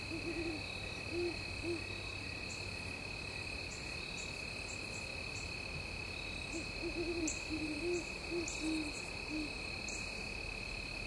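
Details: Great horned owls visiting Mt Nittany at sunset: low, soft hoots in short stuttering groups at the start, then a longer run of deep hoots a few seconds later, over a steady insect drone.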